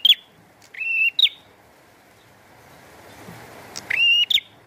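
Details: Prinia singing vigorously with rain: a buzzy note drawn into a steady high tone and ending in a sharp flick, heard twice, separated by a quiet stretch.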